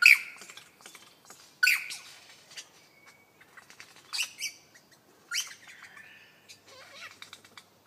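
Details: Lyrebird giving beatbox-like mimicry: scattered harsh squawks and bursts of clicks, a short flat whistle, and buzzy, rattling notes separated by quiet gaps.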